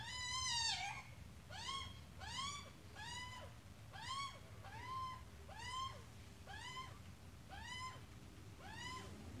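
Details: Adult Australian magpie together with a chick, heard as a series of rising-then-falling nasal calls with strong overtones, one every second or so, the first call longer and louder, against a faint low rumble.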